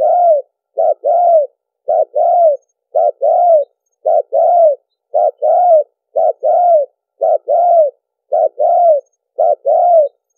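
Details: Spotted dove cooing on a lure track meant for trapping: a steady run of paired notes, a short coo then a longer, slightly arched coo, repeated about once a second with no other sounds.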